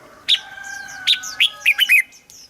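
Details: Red-whiskered bulbul song for stimulating caged birds: a few sharp whistled notes, then a quick run of three bright slurred phrases.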